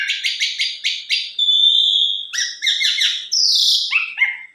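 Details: Asian pied starling lure song in the 'mompa full isian' manner, to make other starlings sing: about six quick harsh notes, then a clear level whistle, buzzy double notes and a high descending whistle ending in short chirps.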